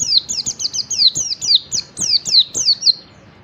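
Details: Oriental white-eye, wild and yellow-breasted, in morning song meant to trigger singing in other white-eyes: a clean run of about a dozen high, crisp downslurred chirps, closely spaced and fading out at the end.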